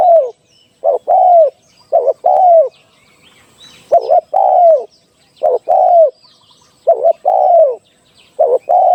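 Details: Spotted dove decoy call for trapping. Low coos fall in pitch, each a quick double note then a drawn-out coo, with steady pairs roughly every 1.5 seconds. Soft distant bird chirps sound in the background.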